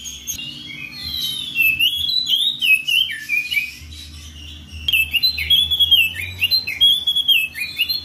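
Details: Oriental magpie-robin calling a rival in the ngeplong style: two energetic bursts of rich, swooping whistles and chattering twitters, separated by a brief lull, with a steady low hum beneath.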